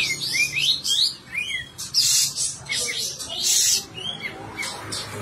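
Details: Sooty-headed bulbul in full, lively song with its tail spread, recorded as tutor material for songbirds: quick bubbly whistled notes, several upward-sweeping, broken by bursts of harsh hiss.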